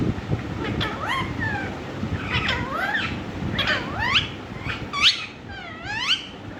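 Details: Talking Indian ringneck parrot producing a string of rising and falling harmonic, voice-like whistled sounds in short bursts, against constant low background noise.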